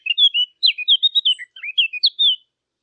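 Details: Clear fluting phrase of a Eurasian blackcap, recorded for hunting callers: rich whistled notes gliding between middle and high pitch in two quick bursts, mellow and free of other sounds.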